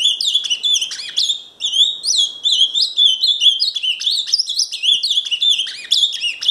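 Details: An ultramarine grosbeak, labelled Paraná, sings a fast, unbroken stream of warbled, slurred whistles that rise and fall quickly in a high register, with no other sounds.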